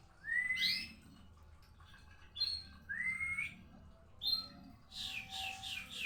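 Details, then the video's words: White-rumped shama singing: rising whistled notes sweeping upward, given in separate phrases about every one to two seconds, ending in a burst of rapid harsh high chattering notes. "burung murai batu tra murkah"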